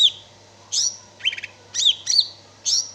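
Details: Cicak ijo, or greater green leafbird, giving a short burst of slurred high whistles and a chattering buzzy note, notes about half a second apart, over a faint hum.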